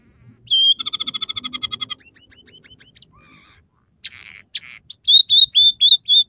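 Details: Scaly-breasted munia in full song, one of three variations filled with house sparrow, red siskin and canary phrases: a fast, regular buzzy trill, scattered soft chips, a brief low note, then a string of sharp repeated whistled chirps.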